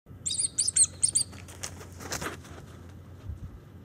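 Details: Female bald eagle at the NCTC nest on November 20, 2023, defending her nest and territory alone against an intruding floater male; a fast run of high, thin piping chirps in the first second, then flapping and rustling noise.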